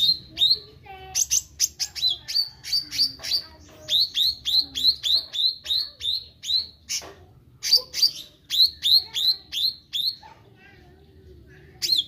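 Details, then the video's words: Meranti bird singing actively in long bursts of rapid high, hooked chirps, with a few lower twittered notes in between. The chirp runs are separated by short pauses against a quiet background. "Burung Meranti Gacor"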